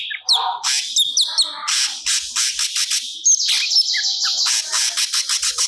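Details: Cucak cungkok in full song delivering stored phrases for training songbirds: quick high whistled slurs and chips, then a long sequence of harsh rhythmic chattering notes repeated several times per second.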